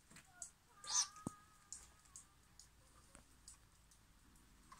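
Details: A young great grey owl (Strix nebulosa) begging gives one loud, hissing screech, then softer, breathy hisses and faint clicks in a quiet setting.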